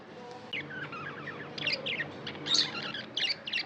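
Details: Pet budgerigars twittering, soft warbled phrases rising into louder squeaky chirps and quick ticking notes, a low hum underneath.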